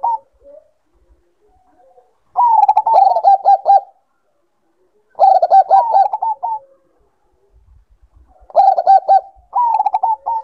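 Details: Zebra dove of the Bangkok type, sounded to bring birds into breeding condition: three bursts of rapid, stuttering, throaty coos, each about one and a half seconds of quick pulsed notes, separated by pauses, with faint low coos in between.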